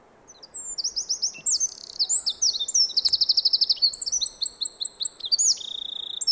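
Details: Winter yard recording of a Eurasian wren singing rapid, shrill, tumbling phrases and a steady fast trill over faint background hiss, with thin overlapping whistles toward the end.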